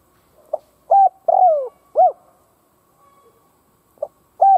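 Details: Spotted dove used as a kept decoy to stir up rival doves, giving one full cooing phrase (soft lead note, flat coo, long sliding downward coo, short arched coo), then a new phrase begins.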